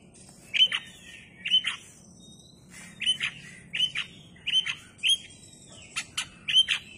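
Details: Oriental magpie-robin singing with its tail fanned: short phrases, each a clear whistle slurring into a harsh scratchy note, repeated about every 0.7 seconds in bursts, with brief gaps between runs.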